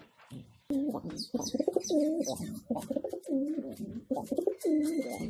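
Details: Homing pigeons in their loft, cooing in a series of low, wavering, throaty phrases repeated about every half second, with faint higher chirps and a thin whistle in the background.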